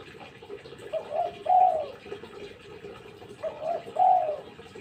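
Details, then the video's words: Spotted dove calling actively: low, mellow cooing phrases, each a soft lead-in followed by a stronger drawn-out coo, repeated twice about two and a half seconds apart over faint background hiss. "Tekukur lulut gacor"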